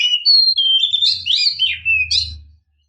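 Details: Female Oriental magpie-robin calling to stir males to sing, giving a continuous string of sliding whistles and chattering notes, with a low hum beneath.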